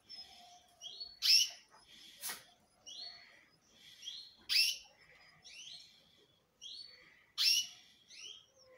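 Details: Male canary singing loudly in bursts: sharp, bright chirps alternate with short rising and falling whistled notes, phrases separated by brief pauses, with loud accents about every three seconds.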